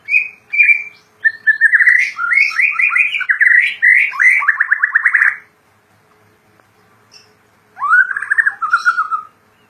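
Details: Kept white-rumped shama, locally murai batu, in vigorous gacor song: a long rich run of fluty, warbled, rapidly varied phrases lasting about five seconds, a pause, then another melodious descending warble.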